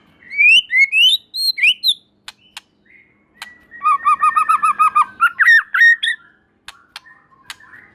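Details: White-rumped shama in full song that reportedly gets other shamas singing: upslurred whistles, then a rapid steady series of about a dozen looping notes, a long level whistle behind, closing with mixed notes and clicks.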